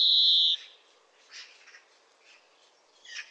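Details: European greenfinch song, one of Britain's common garden birds: a single drawn-out, high, rough wheeze of about half a second, followed by a few faint, scattered twittering notes.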